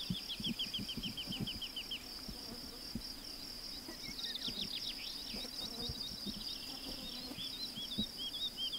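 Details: Woodlark singing high in the sky: a motif of short, liquid, high notes repeated in an even series, then further falling and looping note runs, over a steady high whine and soft low thumps.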